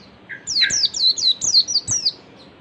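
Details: Ngalas-style oriental white-eye song used as a lure for other white-eyes: a lower opening note, then a fast string of about seven bright, high whistles, each slurring downward.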